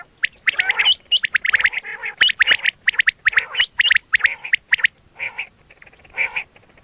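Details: Quail (batair) calls meant for hunting: rapid clusters of sharp chirps and squeaky notes, roughly once per second, thinning toward the end into a few softer, rougher calls.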